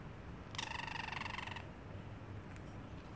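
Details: Caged parrotlet imitating a cat: one rasping, buzzy, pulsed note lasting about a second, steady in pitch and rich in overtones, in a quiet room.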